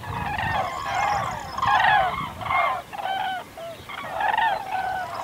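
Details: Common cranes (Grus grus) calling: bugling, trumpeted notes with rich harmonics come in bursts roughly every second, several birds overlapping, over a low background rumble.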